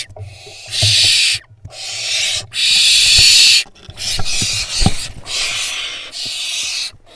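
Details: Begging-and-fighting noise from barn owl fledglings tussling over a vole, Israel nest box, 16 June 2021. Drawn-out rasping hisses come in bursts of about a second, with scuffling thumps and knocks between them.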